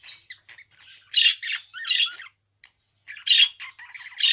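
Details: Pet budgerigar alternating harsh buzzy squawks with softer fluttering chatter, pausing briefly midway before another loud squawk, twittering, and a final rasping note.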